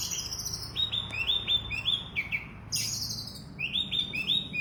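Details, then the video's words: Oriental magpie-robin in intense song: a harsh buzzy opening, then a rapid string of rising whistled notes, a rasping burst, and another fast run of bright upward whistles. "kacer super gacor full"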